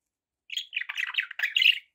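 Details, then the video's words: Pet budgerigars chattering, a run of scratchy warbled notes about 1.4 seconds long, bright and buzzy, with short squawky syllables packed close together and no other sound. "1 hour of budgie sounds"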